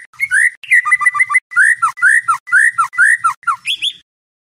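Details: White-rumped shama night song for training competition birds: rich whistled phrases with rising slurs and quick stuttered notes, repeated in rhythmic bursts, ending on a higher rising whistle.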